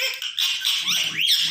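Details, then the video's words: A pet Indian ringneck parakeet called Mitthu, said to be sitting very angry and not coming when called, gives a quick run of shrill, squawky syllables with sweeping rising and falling tones, like clipped mimicked speech, as a person speaks faintly underneath. "green parrot talking"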